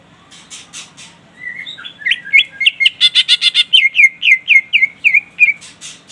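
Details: Greater green leafbird singing to provoke a rival, building from soft whistles into a fast, rhythmic string of about twenty sharp, buzzy downslurred notes, close to four per second, over faint scratchy background noise.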